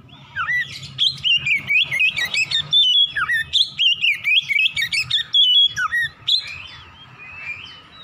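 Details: Morning song of an Oriental magpie-robin, used to stimulate singing: rich run of fluty whistles and rapid twisting slurs, short pauses between bursts, fading to softer notes near the end, faint low hum underneath.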